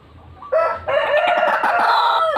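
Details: White-breasted waterhen recording played to lure birds: a brief, loud, raucous burst of overlapping grating croaks that starts abruptly after a quiet moment.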